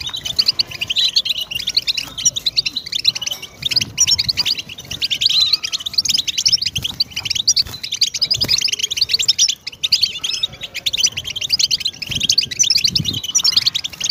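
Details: A goldfinch sings on without pause, a bright, high and rapid twittering of tinkling chirps and buzzy trills, steady in pace throughout.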